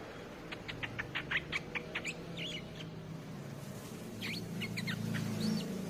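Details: Streak-eared bulbul luring song: a rapid string of short sharp chirps followed by bubbly warbled phrases, then after a pause more loud twisting whistled notes against a low background hum.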